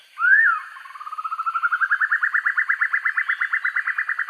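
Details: Black-and-yellow broadbill master recording for training birds: a loud upswept opening note, then a quiet series of pulses that speeds up and rises in pitch into a rapid, strong, even trill.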